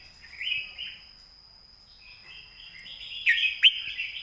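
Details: Red-whiskered bulbul model song for tutoring birds. Two mellow warbled phrases come first, a pause follows, then a longer rising run of phrases with two sharp accents near the end, over a thin steady tone.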